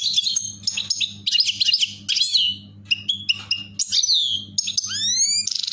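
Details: A European goldfinch in a cage during mating gives fast, tinkling twitters mixed with buzzy notes and quick slurred whistles, over a faint low indoor electrical hum.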